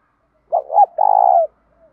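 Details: A single spotted dove phrase, used to provoke other doves in training: a brief rising note, a second swelling note, then a long steady throaty coo lasting half a second, against silence.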